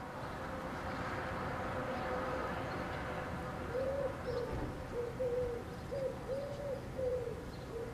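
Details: Common wood pigeon perched on a street-lamp wire in Helsinki, Finland, in July 2014, singing: soft, low, rounded coos in a rhythmic run of five or six notes, set against a steady, loud broadband background roar.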